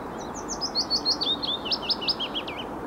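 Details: Willow warbler singing a sweet, liquid phrase of about a dozen quick notes sliding gently downward, over soft hiss; first heard on the patch for 2017, SSSI Wanstead Flats, on 8 April.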